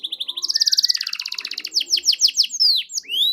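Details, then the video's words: Canary in strong song, played to make quiet canaries sing back: an accelerating buzzy trill, then loud downward-sweeping notes and a final rising whistle. "SUARA BURUNG KENARI GACOR DOR"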